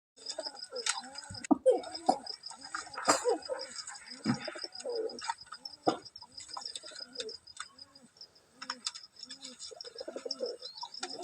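Pigeons cooing in low, soft, rolling notes, repeated over and over amid light chirping.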